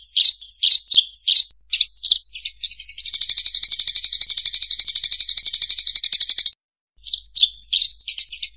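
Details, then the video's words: Sparrow lure song: sharp high chirps in quick bursts, then a long, rapid, even buzzy trill of repeated notes lasting several seconds, followed by a short pause and more scattered bright chirps. "Tiếng hót chim sẻ mồi quá đỉnh !!"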